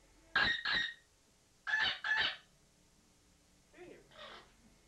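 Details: Pet parrot in a bathroom, possibly reacting to its reflection or to pigeons outside. It gives two pairs of loud, harsh squawks about a second apart, then a softer, muffled pair, in an otherwise quiet room.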